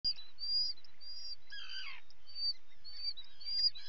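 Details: Common guillemot chicks being fed, filmed by a live webcam on 28 June 2020; thin, high whistled notes, each rising then falling, come in quick succession, with a lower, harsher burst partway through.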